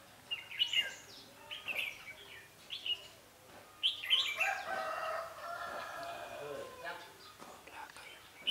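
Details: Red-whiskered bulbul at a trapping site, 11 November 2016, described as fighting-spirited: quick bright chirped phrases repeating about once a second, then a longer rolling warble with a rustling, flapping sound mixed in.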